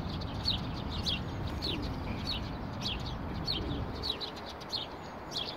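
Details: Several fairly plump house sparrows in street bushes near a bench, 12 April 2019, spring; quick high chirps tumble out irregularly, about two per second, against constant low traffic noise.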